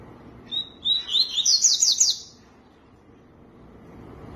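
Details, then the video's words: A tui-tui gives one brief song burst: a high whistled note, then a rapid cluster of bright, slurred whistles rising to piercing phrases, ending abruptly into quiet background hiss. "CANTO TUI TUI"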